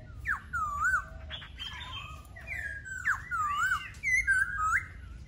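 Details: Laughingthrush pouring out clear whistled song, looping slurred notes that dip and rise, interspersed with harsher ringing phrases, several loud bursts in quick sequence.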